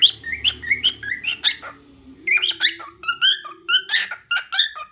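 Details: Cockatiel warbling with chirpy whistles that rise and fall, in two bursts split by a short quiet gap; a steady low tone hums in the background.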